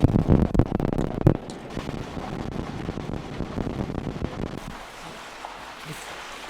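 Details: Heavy wind buffeting and low rumbling handling noise, loudest in the first second and a half and then easing to a steadier hiss, with no animal voice heard.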